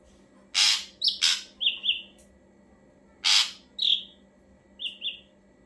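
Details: Ashy drongo song used as a lure: harsh rasping bursts alternate with short slurred whistles, the phrase given twice, each ending in a lower doubled whistle.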